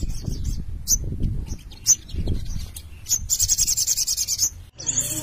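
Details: Little spiderhunters in lively song: isolated piercing high notes at intervals, then a quick even series of about a dozen shrill chips, set against low rumbling background noise.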